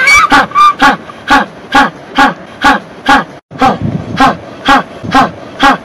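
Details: An African (jackass) penguin in South Africa brays in loud, harsh pulses, about two per second, much like a donkey.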